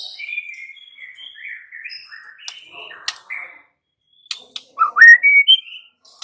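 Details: Young wild-caught white-rumped shama, 'muda hutan' or 'pastol' type, singing to provoke other shamas: varied whistled phrases, slurred notes stepping between mid and high pitch, a pause, then louder rising whistles near the end.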